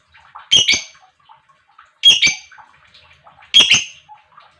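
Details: Lovebird chirping used to spark singing in other lovebirds: three strong double-pulsed harsh chirps about one and a half seconds apart amid soft chatter.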